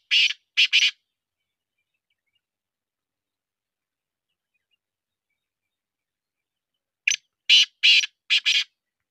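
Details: Black francolin of the Sindhi breed, chakri type, calling twice: a phrase of three harsh grating notes, a long silence of about six seconds, then a second phrase of five rasping bursts.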